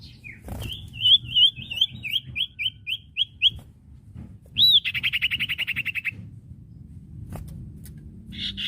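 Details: Common iora singing, recorded as training audio for caged birds: a fast series of bright whistled upslurs, then a rapid buzzy trill of evenly repeated notes, with low background rumble.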